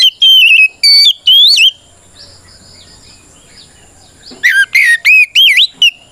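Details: Fighting-style song of a white-rumped shama, played to make other shamas respond; three bright whistled notes, a long silence, then a fresh run of four rising and looping whistles.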